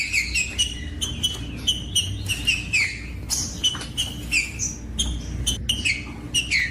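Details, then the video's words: Song of the green-winged saltator meant to warm up other birds into singing: rapid run of clear whistled notes, each dropping in pitch, repeated steadily several times a second over a low constant hum. "COM TRINCA FERRO CANTANDO O MELHOR VÌDEO PARA ESQUENTAR TRINCA FERRO"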